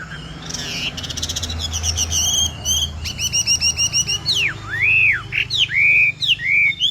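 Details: 'Bộ tam hoàng' Chinese hwamei: rapid buzzy rattles and stuttered notes, then loud, clean, arching whistles that dip and rise, several per second, over a low background rumble.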